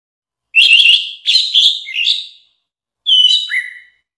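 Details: Orange-headed thrush song from a compilation meant for training songbirds: a cluster of rich, slightly buzzy warbled notes over two seconds, a pause, then a short whistle ending in a falling slur.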